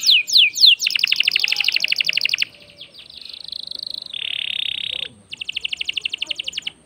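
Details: Canary in full song, used to stir other birds into singing: a few high down-slurred whistles, then long fast rattling trills of repeated notes, a buzzy sustained section and another rapid trill, clear and loud.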